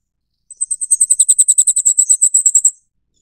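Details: Taiwan's endemic Flamecrest of montane forest delivering one very high, thin trill of about twenty quick, evenly spaced sibilant notes over two seconds, in a silent background.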